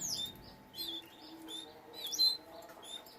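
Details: Canaries from a breeding setup give a few quick high chirps and sharp slurred notes in two short bursts, with quiet pauses between them.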